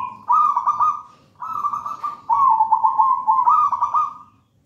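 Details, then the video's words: Wild local zebra dove from a raja banana plant nest, singing actively: four loud, rolling, bubbling coo phrases in close succession, each about a second long with slight pitch wavers. "Perkutut manggung gacor"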